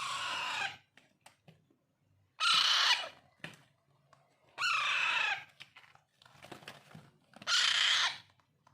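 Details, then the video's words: Young Alexandrine parakeets beg during hand-feeding with four harsh, raspy screeches, each under a second, roughly every two to two and a half seconds, with small clicks between. "Raw , Pahadi parrot Handfeeding"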